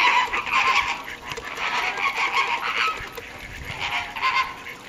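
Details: Caribbean flamingos at WWT Slimbridge, 4/5/2011, call in a steady stream of nasal honks that fade slightly toward the end.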